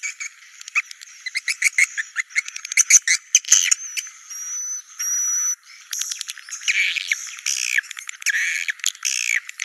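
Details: Swiftlet calls of the "Naga Merah" type, played to attract swiftlets to nesting sites: sharp clicks and rattles, thin whistled slides in the middle, then buzzy chattering bursts.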